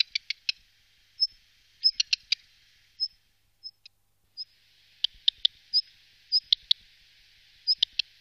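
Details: A black redstart in the Wittlicher Tal in 2018 gives thin high whistles and dry ticking notes, then a scratchy, crackling passage like rustled paper under sharp clicks.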